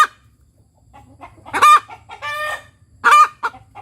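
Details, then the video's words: Ayam kampung hen's post-laying cackle, 'tok tok petok': soft clipped clucks, then two loud harsh stretched cries about a second and a half apart. "Suara Ayam Kampung Betina Tekotek "TOK TOK PETOOOK""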